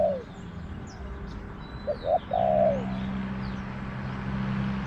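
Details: Wild spotted dove with a small voice, answering a caged decoy in a garden; two short coos, then a long rolling note, over a steady low engine-like hum and faint high bird chirps.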